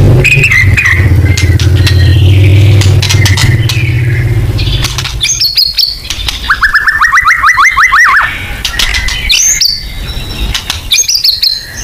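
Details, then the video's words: Murai batu (white-rumped shama) 'full nembak' lure song: after several seconds of low droning hum with scattered high notes, a rapid series of about a dozen quick rising whistles rolls out, followed by sharper varied phrases. "Pancingan AMPUH BONGKAR MATERI MURAI BATU FULL NEMBAK"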